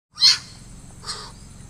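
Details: Malabar pied hornbill, also known as lesser pied hornbill, in Kokan, India: one loud, harsh, rasping squawk, followed by a fainter echoing second note.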